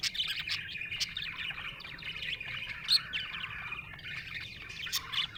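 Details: Happy budgerigar warbling: fast, continuous chirpy chatter of short squeaks and ticks with a few bright, louder accents.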